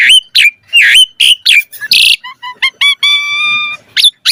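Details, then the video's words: Asian pied starling song as a tutor lure for active singing. Loud harsh squawks alternate with clear repeated whistles, then a sustained tonal note with many overtones and two final rising squeals. "Pancingan Jalak Suren Full Variasi Mompa - Masteran Suara Burung Jalak Agar Gacor Full Isian Mewah"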